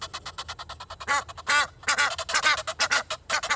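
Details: Four Egyptian geese, two walking and two in a tree, in Kensington Gardens, London, on a rainy day, give loud, harsh honking and hoarse wheezing calls together in rapid, overlapping bursts about twice a second.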